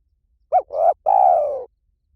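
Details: Spotted dove, a recording for drawing birds in during decoy trapping: a brief clipped note, a rising coo, then a drawn-out hoarse coo easing downward, clean and quiet around it.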